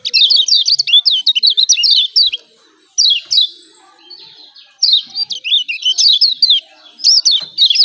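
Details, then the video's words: Yellow white-eye (kecial kuning) from Lombok giving its 'ciak ciak' call, used as a lure to spur quiet birds into calling: rapid bursts of high, sharp chirps and quick up-and-down slurred notes, broken by a short pause, then resuming. "CIAK CIAK JOSS KECIAL KUNING AMPUH"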